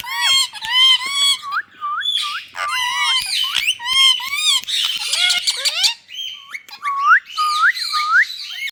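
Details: Ringneck parakeets in India calling busily: repeated arched screeches and hooked rising whistles in tight clusters, with harsh grating squawks and short gaps between runs.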